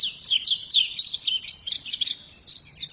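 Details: Short burst of song from a female white-eye (pleci): sweet, high chirps and buzzy slurs tumbling quickly in a steady stream.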